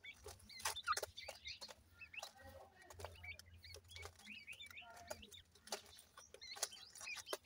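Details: Several partridge chicks at play keep up continuous bright, high chirping, quick slurred peeps rising and falling in rapid succession, mixed with frequent sharp clicks and a low hum.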